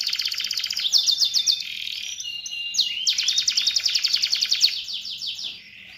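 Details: Atlantic canary singing a long continuous song: rapid buzzy trills of repeated notes, some harmonically rich and rattling, broken by brief whistled slides around the middle, then resuming as fast rolling trills before fading.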